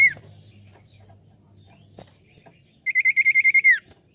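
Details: Common iora song played as a lure to draw other birds: after a faint opening note and a quiet stretch with low background hum, a fast even trill of about ten whistled notes runs for nearly a second.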